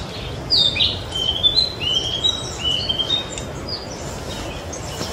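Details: Song of a young brown-toned male Narcissus flycatcher at Mizumoto Park, 27 April 2023, in a dark wooded spot: a sharp high note then a series of slurred whistles descending and rising, fading toward the end over low background noise.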